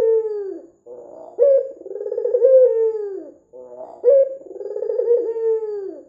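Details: Lure recording of a chatty white Barbary dove with red eyes: deep, rolling coos, each opening on a brief upward note before a long falling slur, broken by short burbling trills and repeated steadily.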